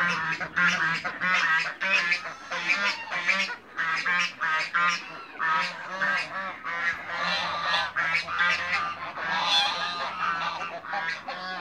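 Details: Mature and young African geese together in a backyard give loud, harsh, nasal honks in quick overlapping bursts, roughly ninety per minute, with several birds calling at once over a faint steady low hum.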